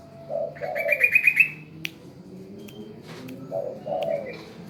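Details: Spotted dove that calls when told to, giving two hoarse coo phrases, short note then longer falling note, separated by a burst of high, fast trilled chirps and a sharp click.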